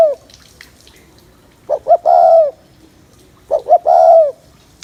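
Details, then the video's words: Spotted dove excitement coo for males, the tail of one phrase then two full phrases about 1.8 seconds apart, each two brief rising notes leading into a sustained soft coo. "Tiếng Chim Cu Gáy Gù Kích Bổi Mau Lên Lửa"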